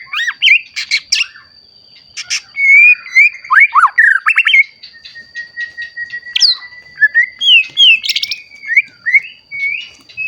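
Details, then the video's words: White-rumped shama in song, recently matured, meant to provoke other shamas into singing; sharp clicks, swooping whistles and harsh squawky notes in varied phrases, over a constant high-pitched tone. "Murai Batu Gacor Ampuh Untuk Pancingan Murai Batu Agar Bunyi Langsung Emosi"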